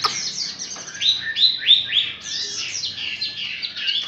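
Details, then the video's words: Softer passage from a newly wild-caught Chinese hwamei recorded close: a string of high, thin, slurred whistles repeated quickly, some sliding upward, all in the upper register. "Cận cảnh quay họa mi bổi"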